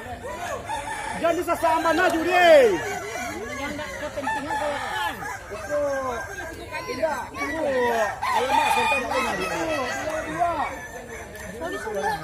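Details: At a crowing competition in West Sumatra, many Kukuak Balenggek roosters crow over each other in a dense chorus of curved, wavering notes for twelve seconds, loudest near the start, while spectators chatter.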